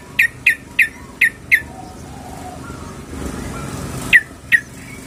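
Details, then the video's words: Sooty-headed bulbul female calling the male: a string of five sharp, clipped chip notes about a third of a second apart, a pause, then two more. "SUARA BURUNG TRUCUKAN BETINA MEMANGGIL JANTAN"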